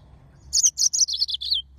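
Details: Yellow-fronted canary, called Mozambique serin, giving a brief high phrase of seven quick chirping notes that step gently downward in pitch, over a soft low hum.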